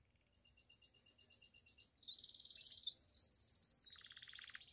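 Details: Pied Belgian canary performing bell song to spur other canaries and females: a soft, even series of high repeated notes leading into a long sustained rolling trill, over low background hiss.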